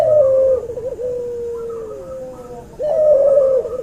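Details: Masteran recording of a hybrid between an albino white Barbary dove and a pelung Barbary dove: a loud low coo that dips, then a long, slowly falling drawn-out note, followed by another strong wavering coo.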